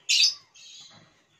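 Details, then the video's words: A pet talking common hill myna, coaxed by its owner to say Hindi words, gives a loud, hoarse, breathy burst then a softer raspy second syllable, like a short word spoken in a harsh voice. "Amazing Talking Hill Myna"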